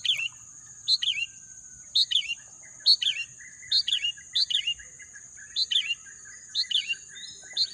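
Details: A bird in green natural scenery sings quick, bright chirped phrases of two or three falling notes, about eleven in eight seconds. A steady shrill high drone runs throughout, and fainter birds twitter softly behind.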